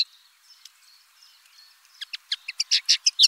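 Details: Common linnet song: faint, thin twittering at first, then a run of loud, sharp chirps and short buzzy notes, about three per second, building toward the end.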